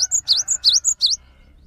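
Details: Loud 'gacor' song of a cinereous tit, used to trigger singing in silent or new birds: five rapid, high, sweeping notes alternating with thin higher whistles, then quiet.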